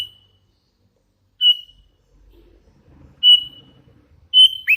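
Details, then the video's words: Sooty-headed bulbul, a hand-fed young bird in full voice, gives short bright whistled notes spaced a second or two apart, ending in a brief falling slur, with faint low background rumble. "Suara ASLI kutilang LOLOHAN GACOR"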